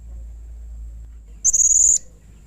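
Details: Blue-crowned hanging parrot in strong calling form, calling harshly and agitatedly to provoke rivals into calling: one sustained, buzzy, very high-pitched note lasting about half a second, over a faint low hum.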